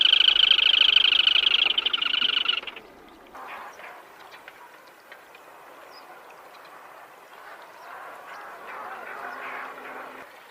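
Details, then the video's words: Black-tailed crake giving a harsh, buzzy, rapidly pulsed trill for about two and a half seconds, then quieter calls and low background noise. "เสียงนกอัญชันหางดำ Black-Tailed Crake Sound"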